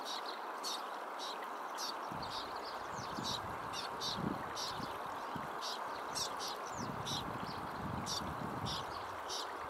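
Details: A juvenile Tibetan Snowfinch follows its parent begging to be fed by a stream beside cultivated fields at Mudh, Pin Valley National Park, Himachal Pradesh, 8 July 2021: thin, high, rapid notes in bursts over roaring wind and low rumbles.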